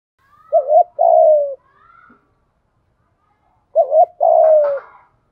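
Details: Spotted dove kept as a decoy, cooing to draw in wild doves in the 'gáy gọi một hậu' style; two phrases about three seconds apart, each a quick wobbling two-part note and then a drawn-out descending coo, with faint whistles between.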